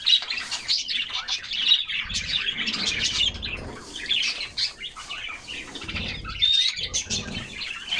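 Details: Several canaries bathing in summer keep up a continuous, bright chirping chorus with quick trilled notes and a thin whistled slide, while water splashes and wing flutters sound low beneath.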